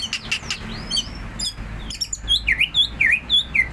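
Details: Greater green leafbird singing in the ngentrok style, rapid continuous song: a run of loud whistled V-shaped notes dipping and rising, following softer scattered chirps and a faint low hum.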